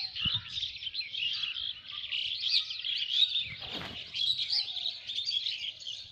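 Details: Countryside birds of Lalmonirhat singing together: a thick wall of high chirps and twitters from many birds at once, with a brief low thump near the start and another in the middle.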